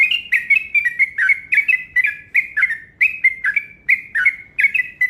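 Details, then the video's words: Yellow-vented bulbul giving a fast rolling call used as a lure. Liquid, bouncing chirps come about two per second throughout, in a clear, quiet background. "Panggilan Burung Trucuk Ropel Panjang Gacor Cepat Bikin Emosi"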